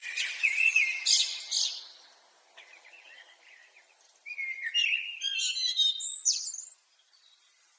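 A common blackbird sings mellow, fluty warbled phrases, each ending in high, squeaky twittering, with short pauses between phrases.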